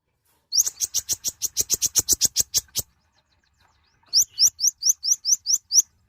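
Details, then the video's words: Mouse-colored sunbird (konin), a small, bright-plumaged nectar eater, calling loudly: a steady run of about fifteen clipped high chirps, a short silence, then eight quick upward-sweeping whistled notes. "Kicauan suara burung Kolibri Ninja(konin) gacor"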